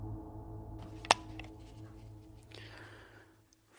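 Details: Steady low humming tones and soft ringing notes, with one sharp click near the second mark and a brief breathy hiss later; no animal calls are heard.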